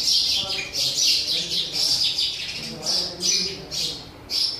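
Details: Sparrows fighting for a new nest box utter high, sharp chirps roughly once a second, some doubled, in a loose irregular rhythm.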